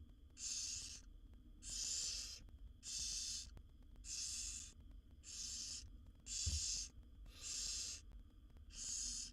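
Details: Seven wild barn owl babies begging as their mother feeds them in a nest box; a run of eight rasping, noisy hisses, steady in length and spacing, roughly one each 1.2 seconds, with a soft thump midway.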